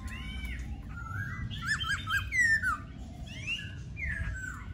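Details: Laughingthrush song mixing soft arched whistles with a quick triple of bright, bouncing notes and a long falling whistle, followed by quieter slurred phrases.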